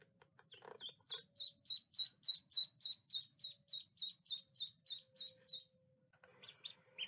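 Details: Duckling giving a steady run of high, thin peeps, about three to four each second, evenly spaced and bright-toned, with a few rougher notes at the start and a brief scuffle near the end.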